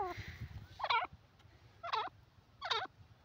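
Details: Grey francolin uttering three loud, harsh harmonic notes with wavering pitch, spaced about a second apart, after a fainter call at the start; low background rumble throughout.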